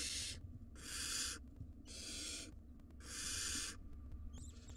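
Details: Five wild barn owl nestlings in a monitored nest box in Israel give harsh, rasping hisses, four long bursts about a second apart, keeping their parents busy, with a steady low hum underneath.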